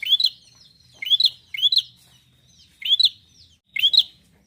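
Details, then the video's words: Bar-winged prinia singing steadily to get other prinias calling: short bright upslurred chirps, mostly in doublets, coming in five bursts roughly a second apart against near silence. "prenjak gacor ini mampu membuat burung prenjak anda jadi bunyi"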